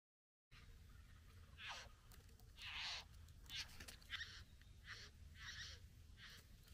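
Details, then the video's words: Satin bowerbird courting a female at the bower: a series of harsh, buzzy bursts, some rising, spaced about half a second apart after a brief silence, over a low background rumble. "Bowerbird. ( Courting female at the bower)."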